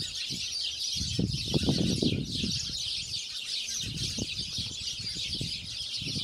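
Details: Spanish sparrows (Passer hispaniolensis) on Lanzarote, Spain, in December 2017: a dense, continuous colony chorus of overlapping cheeps, with low irregular thumps and rustles beneath.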